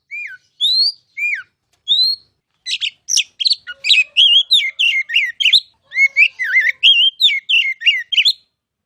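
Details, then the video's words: Oriental magpie-robin (kacer) giving a masteran training song: short slurred whistles at first, then a fast dense run of varied chirps, trills and sweeping whistled notes with brief gaps. "KICAU MASTERAN KACER"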